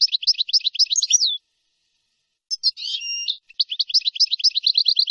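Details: European goldfinch song recorded for training young birds, nahrat and taqasim style: rapid repeated chirping trills, a pause, then a harsh buzzy note with a steady whistle, followed by another fast, even trill. No other sounds.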